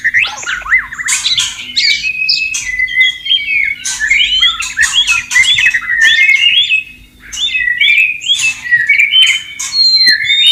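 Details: Wild white-rumped shama singing by flowing water, a long rich medley of looping whistles, slurred rising and falling phrases and harsh chattering bursts, with a brief pause near the middle.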